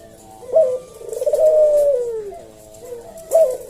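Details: Caged puter dove sings a slow senggang phrase: a brief sharp note, then a long, soft, gently falling coo, with the next short note following after a quiet pause.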